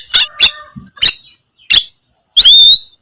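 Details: Oriental magpie-robin calling out for its rival with a series of four loud harsh scratchy notes, then a final bright whistled phrase that slides upward.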